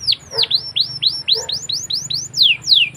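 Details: Canary singing as a lure for young canaries learning to sing; rapid series of bright downslurred whistles, about three per second, ending in longer sweeping notes, with a faint low hum beneath.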